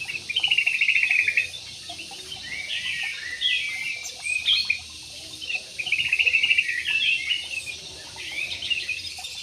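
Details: Parakeets kept in an aviary. Bursts of high, rapid, buzzy chatter and twittering phrases come in waves, with brief quieter gaps between them.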